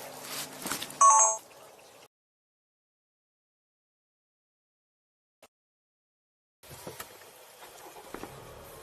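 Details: A short electronic beep, then nearly two seconds of noise, a long silence, and rustling handling noise with faint clicks at the end.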